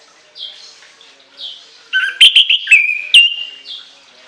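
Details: Orange-headed thrush in a shrill, long-filled singing bout: soft warbled notes first, then a loud cluster of sharp whistled sweeps and a long level whistle, fading into quiet warbling.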